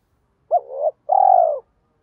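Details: Spotted dove decoy cooing to pull in wild doves, from a two-tail-note, three-note challenge calling style. A hooked note sliding into a swelling coo, a short pause, then a long throbbing coo that eases downward.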